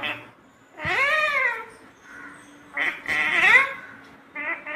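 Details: Talking pet parrot producing drawn-out, arching harmonic calls, one long rising-then-falling call followed by a shorter burst and a rough, buzzy phrase, in a quiet room with faint background hum.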